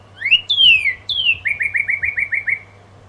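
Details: Northern cardinal singing at the crack of dawn: two long, loud down-slurred whistles followed by a rapid series of about eight short, repeated slurred notes, clear and whistled, with a faint low hum beneath.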